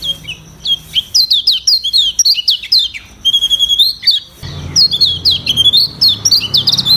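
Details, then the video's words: Lemon-bellied white-eye in a varied training song, rich in imitated sounds besides its natural voice: high sweeping whistles and sharp chirps strung together rapidly, with a faint low hum in the background. "Masteran Kecial Kuning Suara Bervariasi"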